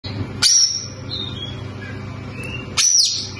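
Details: White-rumped shama, locally called kacer, giving two loud high whistled phrases with sharp upward sweeps, separated by a quiet pause of about two seconds.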